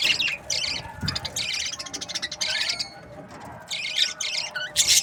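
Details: Several budgerigars from breeding pairs calling: grating buzzy bursts alternating with chirps and short whistles, plus a low thump near one second.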